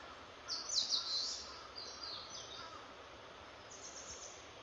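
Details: Bird singing high, thin chirped phrases with brief trills, loudest near the start and fading to softer notes, accompanied by a faint lower tone and steady background hiss.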